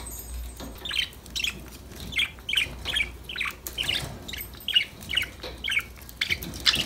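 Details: Pet budgerigars playing and chirping together: a steady series of short, bright chirps, roughly two or three each second, over a quiet low hum.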